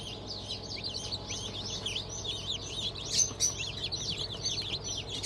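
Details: Newly hatched chicks of Black Australorp, Sussex and Fayoumi breeds, from a hatch on 25 May 2023; many high peeps overlap in a dense, continuous chorus of short falling notes, with a faint low hum.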